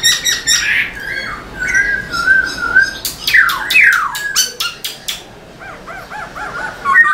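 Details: Singing Black-throated laughingthrush performing a tail dance: squawky notes, a level whistled stretch, sharp descending sweeps with clicks, then a series of short looping whistles.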